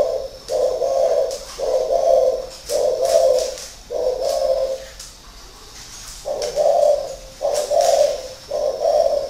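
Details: Spotted dove, a caged decoy bird of six years, gives a long run of deep, soft coos in groups with a short pause midway, against a quiet indoor background.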